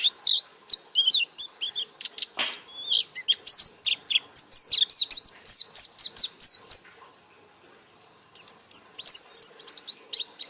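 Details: Energetic 'gacor buka paruh' song of a white-eye: dense runs of thin, high chirps and rising and falling whistles, a brief lull, then renewed twittering.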